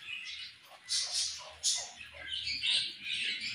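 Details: Several budgerigars eating and playing together, giving a busy stream of scratchy chirps and warbled squawks that rise and fall in bursts, with brief louder peaks near one and two seconds.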